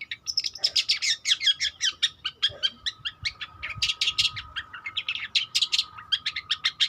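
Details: Young long-tailed shrike learning its song, a busy stream of short scratchy and chirping notes at roughly two to three per second, irregular in rhythm, some louder harsh bursts near the middle.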